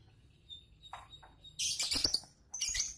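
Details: Chattering from a defending champion lovebird as it reacts: faint thin notes, then two loud bursts of harsh, very high chirping and twittering separated by a short pause.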